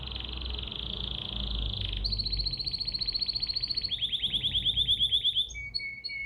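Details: Bulbul song: a fast buzzy trill, then a run of repeated whistled notes that speeds into a rapid trill, ending with short clear whistles on two pitches.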